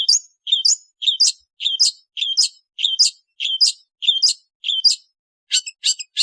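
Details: Long-tailed shrike giving a steady series of paired notes, roughly every 0.6 seconds: a short buzzy note, then a higher chirp. It ends with a few quick, scratchy high notes.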